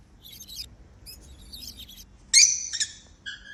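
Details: Happy African lovebirds flying freely: scattered high squeaky chirps, then a loud harsh screech followed by shorter shrill notes near the end.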